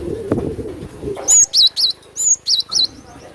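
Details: Lure call of a Javan sparrow used to attract birds: after a low rumble, a series of loud, high whistled chirps, some gliding down, spaced about a quarter second apart.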